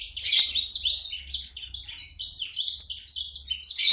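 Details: Sanger bird kept by its owner, singing eagerly (gacor). Four seconds of dense, high chirps and buzzy slurs run back to back at a steady rapid pace, over a soft low background rumble.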